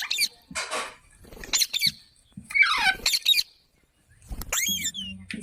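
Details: Parrot making scratchy squeaks and a loud, descending rasping call, then a short pause and a few more shrill squeaky notes over faint low background noise.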